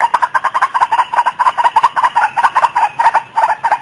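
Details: White-breasted waterhen lure call: continuous rapid series of hoarse, croaking pulses repeated about twice a second with a steady rhythm throughout.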